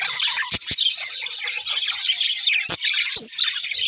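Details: Budgies, more than one, keep up a steady high twitter of overlapping chirps and warbles, broken by a few sharp knocks and one bright squeaky note late on.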